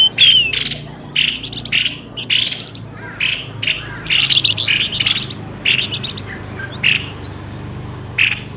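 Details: Bird-luring call meant to bring birds out of bushes fast. Short rasping chirp bursts repeat about once a second, with some quick stuttering clusters and a faint low hum behind.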